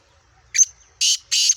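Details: Black francolin (kala teetar), a Sindhi bird of Gangas Sheedi cross line with a nasal 'speeder' voice, gives a short squeaky lead note followed by two loud harsh grating bursts, about 0.3 seconds apart, over a quiet low hum.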